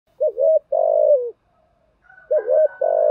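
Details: Spotted dove used as a lure bird, giving its 'thúc gù' and 'gáy gọi' calls to stir other doves to call. Two low coo phrases, each a short wavering double note then a longer slurred coo, with a faint steady higher tone late.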